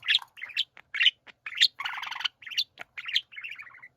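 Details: A flock of pet budgerigars singing in chorus, alternating sharp chirps with a sustained, grinding, buzzy warble, then a trailing twitter.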